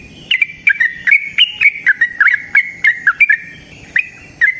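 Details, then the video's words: Yellow-vented bulbul singing in the wild in a long chattering run: clipped, bright chirps with clicky onsets, roughly ten notes spaced about half a second apart, with faint background hiss. "Trucukan GACOR ngalas ROPEL PANJANG suara alam AMPUH buat pancingan"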